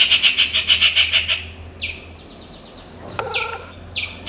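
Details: A rufous treepie (Dendrocitta vagabunda) calling in its natural habitat in India gives a fast, harsh rattle of about ten grating notes, then several high, clipped notes that slur downward.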